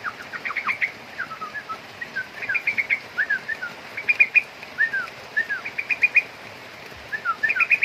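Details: Young sooty-headed bulbul giving bursts of short sharp chirps mixed with quick downward-slurred notes, repeated in clusters throughout, against a quiet background.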